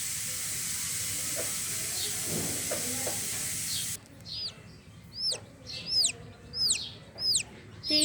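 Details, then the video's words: Steady hiss for four seconds, then a chicken chick still inside its shell before hatching gives a run of clear, high, arched peeps at an uneven, roughly two-per-second pace. "chick making sound in egg shell"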